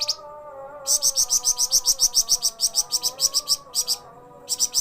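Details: Flamboyan bird, said to sing energetically day and night: rapid bursts of sharp, high chirps, about a dozen quick notes per burst with short pauses between, over a steady, low, wavering tonal hum.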